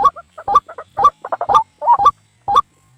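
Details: Trapping lure of the white-breasted waterhen for night use: irregular short croaking notes with pauses between them, some doubled, plus clicks.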